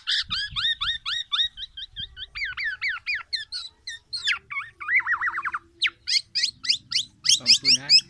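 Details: Loud, distinctive singing from a tame black-naped oriole: fast repeated chirps, then varied phrases with a rapid trilled zigzag passage and sharp high notes, continuous for eight seconds with faint low background noise.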